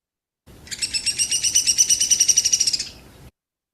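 A Downy Woodpecker gives a quick, high whinny of rapid sharp notes, about three seconds long, that drops in pitch and slows toward the end.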